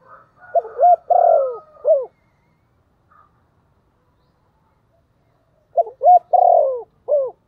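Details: Spotted dove used as a decoy, calling in a voice suited to attract wild doves. A soft higher whine is followed by two low four-note cooing phrases, each ending on a short curved coo, spaced several seconds apart.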